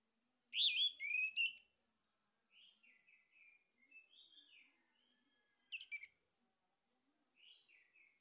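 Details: Male orange-headed thrush song used as a lure for singing. A loud, rapid cluster of descending whistled notes opens the passage, followed by quieter, varied warbles and a short louder flourish later on.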